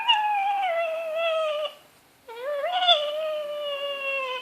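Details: Pet black-capped lory with an overgrown beak, kept indoors, making weird noises: two long, droning, harmonic-rich tones that waver slightly, the second opening with a rising swoop, separated by a short pause.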